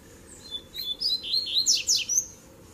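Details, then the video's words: Double-collared seedeater song from a tui-tui, zel-zel and mateiro mix played to fire up other birds: high thin whistles building into a loud flurry of sharp downslurred notes, then a closing clear whistle. "Baderna de Coleiro Tui Tui Zel Zel e Mateiro Top Pra Esquentar a Fibra do Seu!!!"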